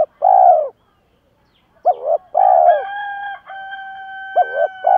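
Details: Spotted doves, cocks and hens, cooing to excite decoy birds for training; short paired coos and a longer rolling note, overlapped by a loud drawn-out rooster crow.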